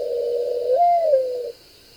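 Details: A mourning dove, named for this mournful call, gives a low, soft, owl-like coo that swells upward and sinks again over about a second and a half, over a faint steady hiss.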